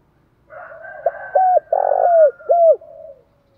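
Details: Spotted dove as large as a pigeon, calling to provoke a fight in the 'thổ bầu' voice. A soft lead-in is followed by a series of arched, hooked coos around a long rasping coo, all over a faint higher overtone.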